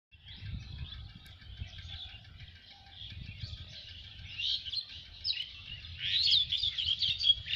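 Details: Birds singing in the rural countryside of Lalmonirhat, among village and fields: a steady wash of high, overlapping chirps and tweets that starts soft and grows louder and busier toward the end, with faint low rumble beneath.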